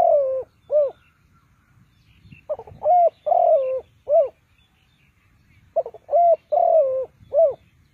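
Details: Spotted dove used as a decoy to lure birds into a trap, giving three phrases of hoarse cooing: a stuttering lead-in, a long drawn wavering coo, then a short final coo, with pauses of about two seconds between phrases.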